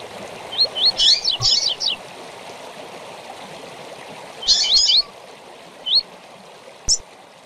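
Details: A rusty-collared seedeater sings bright, high whistled phrases of quick slurred notes in short bursts, with pauses between, over a steady hiss like running water, in a song used for training captive seedeaters.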